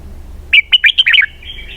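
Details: Red-whiskered bulbul delivering a 'xoắn kép' (double-twist) song phrase: about seven quick, bright whistled notes with bending pitch, fading into a thin trailing note, over a quiet background.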